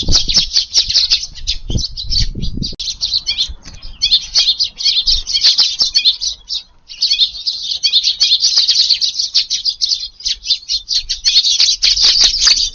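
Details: Eurasian tree sparrows gathered for an evening meal in a garden, 18 July, wind strengthening; an almost unbroken chatter of sharp, high chirps from several birds, with one short dip in the middle and faint low noise.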